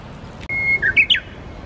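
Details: Wild Japanese bush warbler near the Tsurumi River: a clear, steady high whistle held briefly, then three rapid emphatic notes, the last sweeping sharply downward, with a fairly quiet background.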